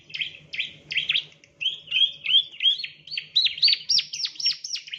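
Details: Male bar-winged prinia song for training other birds: rapid, bright chirping that starts with lower, warbled notes and rises into higher, sharply falling chirps, about three or four per second, over a faint low hum.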